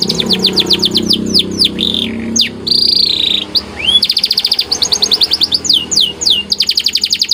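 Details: White canary singing a masteran training song in lively gacor style: rapid falling whistled sweeps, buzzy rolled trills, then a long run of fast repeated notes, with a faint low hum underneath.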